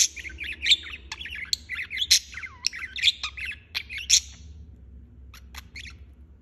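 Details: Budgerigar in nonstop chirping, quick warbles, downslurred whistles and sharp clicks for about four seconds, then fading to a few soft ticks over a low hum.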